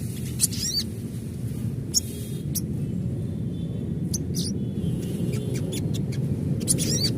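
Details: Adult crimson sunbird call, a natural recording used as a lure to make other sunbirds open their beaks and chatter: scattered sharp, very high chips and thin quick down-slurred sweeps over a steady low rumble.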